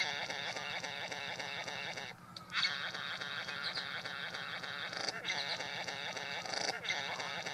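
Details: Male Satin bowerbird displaying at his bower to a female he has lured in, an elaborate show including mimicry; continuous rasping, mechanical buzzing churr broken by brief pauses.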